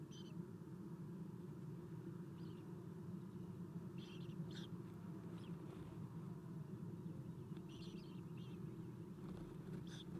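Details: Owlets of an Eastern Screech-Owl being fed in the nest box, recorded 7:04 am on 4-11-2016; sparse faint high chirps and squeaks recur every second or two above a steady low background hum.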